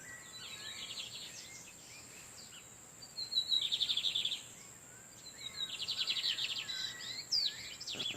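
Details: Lined seedeaters in the wild, males singing back and forth in the background while a female incubates: two rapid buzzy trills high in pitch, each about a second and a half long, separated by quiet, over a steady high whine and faint chirps.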